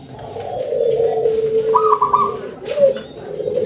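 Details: Local zebra dove, big-voiced, holding a long low purring trill, then breaking into a higher stuttered, rolling coo and a short lower note afterwards.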